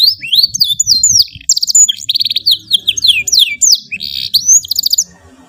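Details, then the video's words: Canary in full long song, used as a master for training young birds: continuous rolling high trills, rapid repeated buzzy notes and swooping whistles, with low background thumps. "KENARI GACOR SUARA PANJANG SYAHDU MASTERAN PAUD"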